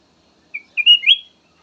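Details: Black-naped oriole, a melodious song variation used as a lure for other birds: a short phrase of clear whistled notes, a brief note then a longer wavering one ending with a rising slur, on a silent background.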